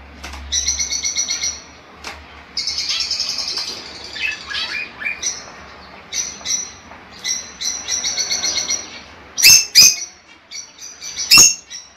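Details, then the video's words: Lovebird chatter meant to stimulate mating: a busy stream of high squeaky twitters and buzzy chirps in uneven bursts, with a few loud, sharp squawks near the end over a faint low hum. "Con este clip estimularás a tu pájaro a aparearse"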